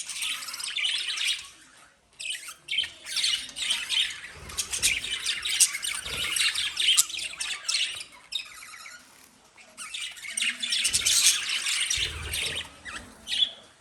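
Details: Pet lovebirds squawk and chirp in loud, harsh, high bursts separated by short quiet gaps, the calls overlapping into rasping chatter throughout.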